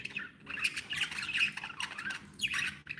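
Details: Budgerigars, described as happy pet birds, chattering with dense warbling squawks and chirps concentrated in the upper range, overlapping calls from several birds with a brief pause near the start.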